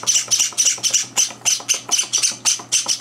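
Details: Java sparrow chicks, kept indoors and three days in their new home, begging at breakfast feeding while two older birds barge in; harsh, high squawks pulse rapidly, about three per second, in an even chorus.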